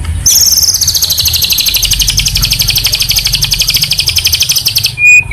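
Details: White-rumped shama master song for training caged birds, a long high sustained buzzy trill held for about five seconds, slowly sliding downward, ending with a short clear whistle.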